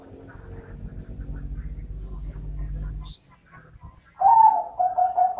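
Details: Dove of the middle-voice class: after three seconds of low rumbling noise and a quiet gap, a bright cooing phrase begins and repeats in quick pulsed notes, slightly falling in pitch.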